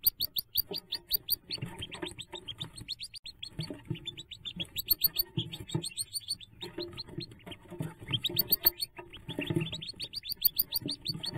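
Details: Hooded merganser ducklings at their jump on May 5, 2024, give rapid, high, thin peeps in quick bursts, several calling at once, over low thumping and murmuring sounds.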